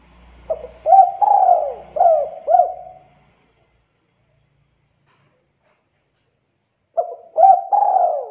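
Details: Spotted dove calling repeatedly as a lure for other doves: a phrase of soft hollow coos, quick rising notes and a long drawn falling coo, then about four seconds of silence before the phrase repeats; faint low hum at the start.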